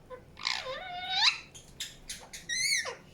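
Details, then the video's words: Indian ringneck parakeet making a long wavering squawk, a few short buzzy notes, then a bright harmonic chirp that drops away at the end. "PARROT CHIRPING SOUNDS | NATURAL SOUNDS PARROT CHIRPING"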